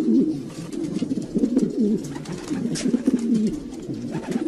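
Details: Low, burbling coos from domestic pigeons, rising and falling in repeated rolling phrases, several birds calling together indoors.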